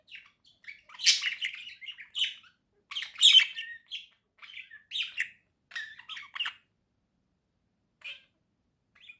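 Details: Two pet budgerigars in cheerful song: dense chattering warble with squeaky chirps and harsh squawk-like notes for about six seconds, then a few quiet isolated chirps.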